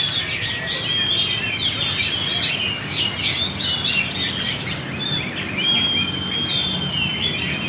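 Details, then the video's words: Energetic magpie-robin singing in Banjar, with bursts of sharp high chirps and trills interleaved with level whistled notes, over noticeable broadband environmental noise. "Burung murai Gacor"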